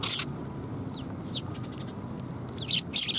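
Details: Sparrows coming to be fed at a Tenmangu shrine on 18 December 2020; short bursts of high, sharp chirps at the start, middle and end, over a steady low background rumble.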